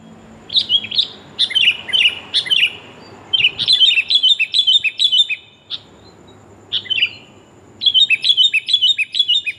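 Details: Female sooty-headed bulbul calling to attract a male, used to lure birds; irregular clusters of bright chirps and quick slurred notes with brief pauses between bursts.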